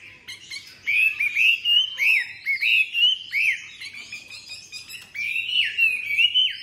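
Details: Chinese hwamei kept as a tame cage bird, singing loud slurred whistles in regular bursts of about three per second, a pause, then a long rising whistled phrase.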